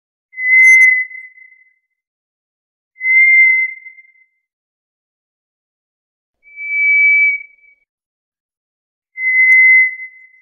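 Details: Eerie monotone whistles of a White's thrush, four in a row about every two to three seconds, alternating between a lower and a slightly higher pitch, in otherwise total quiet.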